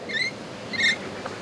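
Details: Rainbow lorikeet near a steel trawler on Australia's east coast, one of a pair, gives two short, bright, slightly grating calls about two-thirds of a second apart, over a faint background hum.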